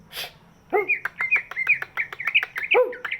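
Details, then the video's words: Greater green leafbird with a large body, its voice meant to prompt other birds to sing: a brief rustle, then a rapid run of sharp chirps and flicking whistles mixed with crisp clicks. "cucak ijo body big, suaranya bisa buat pancingan burung yang malas bunyi"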